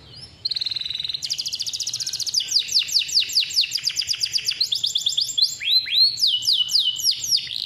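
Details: Male canary, kept for tutoring young canaries, singing a long roll: a level trill, then a dense rattling burst, descending whistled notes about four per second, and closing upward swoops.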